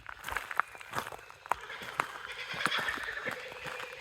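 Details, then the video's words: In Australia, near a giant rose gum tree, a Laughing Kookaburra gives harsh chuckling notes that build and quicken into a rolling laugh. It is followed by a screech from either a corella or a white cockatoo, with people's voices. "that was a kookaburra, followed by either a corella or a white cockatoo"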